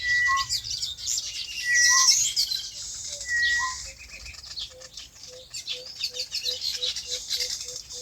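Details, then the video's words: Birds on a farm give level whistles with lower slurred notes for four seconds, then a steady run of soft low pips, about two per second, over twittering. "Relaxing Bird Chirping Sounds"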